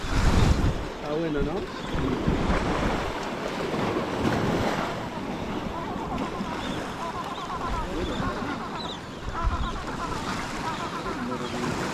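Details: Wind buffeting the microphone and surf breaking, with faint human voices and no clear animal call.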